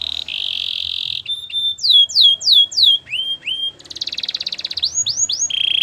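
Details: Gloster canary song mixing steady buzzy trills with bright falling whistled notes in short groups and a brief rattling passage, ending on a held buzz.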